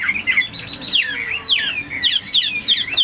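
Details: Captive Chinese hwamei singing fast, loud whistled phrases, each a quick downward-sweeping slur followed by looping, wavering notes, repeated in tight bursts about every half second.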